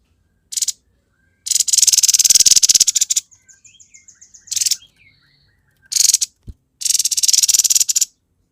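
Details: Grey-headed babbler in lively 'gacor konslet' song: several bursts of rapid, harsh chattering notes, each a second or more long, separated by short pauses with softer twittering in between.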